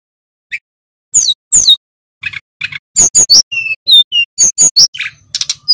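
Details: Male little pied flycatcher in full song, played to coax other cage birds into singing. After a quiet start comes a string of high, sharp chirps and short whistled notes, some down-slurred, delivered in quick separated bursts.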